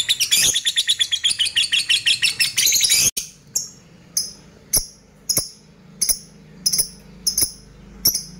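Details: Lovebird lure recording: three seconds of dense, rapid, shrill ngekek chattering, then evenly spaced sharp high ticks about every two-thirds of a second, with a soft low hum behind.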